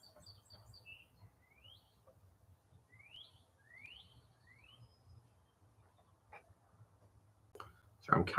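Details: Background song of a Northern Cardinal during a crochet session: soft upward-sweeping whistles, a short run of three or four about half a second apart, then a burst of nearby talking and clatter at the end.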